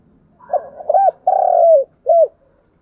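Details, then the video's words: Spotted dove coo for luring wild doves: soft lead-in, two short hoots, a long vibrating coo sliding down, and a clipped final note, with faint low background hum. "tiếng cu gáy gọi mồi và kích bổi hiệu quả nhất"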